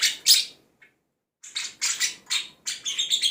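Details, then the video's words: Budgerigar mimicking songbirds such as cucak jenggot, kapas tembak, a lovebird and quarrelling sparrows. Two sharp chirps are followed by a short silence, then a run of quick harsh chattering notes, roughly four per second, ending in thin whistles. "Parkit isian mewah cocok untuk memaster burung kicau"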